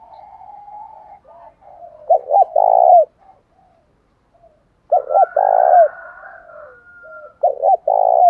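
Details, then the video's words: Spotted doves, male and female, calling as a fighting lure in the field voice style; three phrases of paired short coos and a long rolling coo, about every two and a half seconds, with soft murmurs between. "chim cu gáy mồi giọng thổ đồng thúc đấu rút bổi nghe rất nhanh về"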